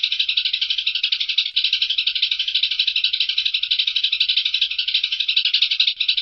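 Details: Eurasian tree sparrow giving a continuous, harsh, rattling chatter of rapid repeated notes, about four per second, sustained without a break, used as training audio for songbirds.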